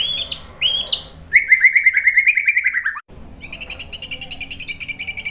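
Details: White-rumped shama singing, meant to stir other shamas into answering. Short rising whistles precede a fast rattling trill that slowly drops in pitch, then a brief gap and a softer, high, doubled trill.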